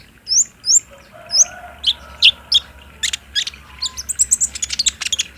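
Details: Olive-backed sunbird, spotted captive bird, in a lure recording for prompting song. Spaced high piping notes build into a faster, louder twittering burst, over a faint lower whistling from another bird.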